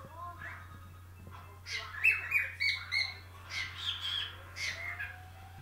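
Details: A 3-year-old male whiteface cockatiel sings a run of bright whistles mixed with raspy, chattering squawks over a low steady hum.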